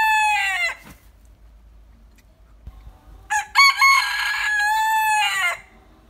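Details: A well-crowing prized rooster: the falling tail of one crow, a quiet gap of over two seconds, then a second full crow with a choppy start and a long sustained, slightly dropping finish.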